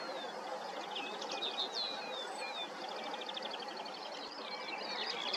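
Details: Common linnet singing outdoors: fast rattling trills and twittery phrases with short whistled slurs, steady and continuous, against a constant rushing noise.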